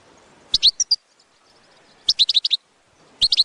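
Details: Goldfinch batbata, a call recording played to attract goldfinches for trapping: two bursts of bright, high, metallic twittering notes, four or five quick chirps each, separated by about a second and a half of quiet.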